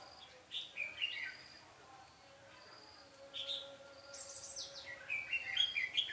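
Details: Red-whiskered bulbul song duel at a trap site, 13 March 2017, with a decoy bird; scattered chirpy phrases building into a dense warbling run at the end, over low insect hum.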